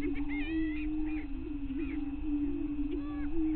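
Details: Greater prairie chickens at a lek on Bluestem Prairie Scientific and Natural Area near Glyndon, northwestern Minnesota, dawn, 5:30 a.m., May 9, 2023: an unbroken low hollow booming drone, with higher cackles and whooping notes scattered over it.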